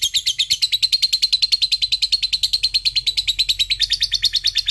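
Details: Lovebird in ngekek chatter, a sound for prompting quiet lovebirds to sing: a steady, quick run of shrill clipped notes, about three per second, sustained without pause.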